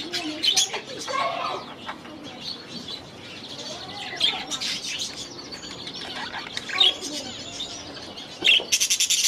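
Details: Aviary budgerigars give scattered high chirps and short warbles over a softer background murmur, with a few lower sliding whistles and a rapid burst of clicky notes near the end.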